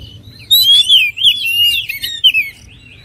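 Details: Oriental magpie-robin giving a short flowing phrase of clear whistles that glide downward, overlaid with fainter high twitters, then fading to quiet.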